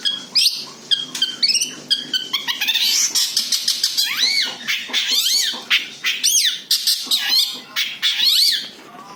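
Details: Natural, unmimicked song of a long-tailed shrike played to lure other birds: a rapid jumble of harsh scratchy notes and arched whistles, with loud bursts of chatter through the middle.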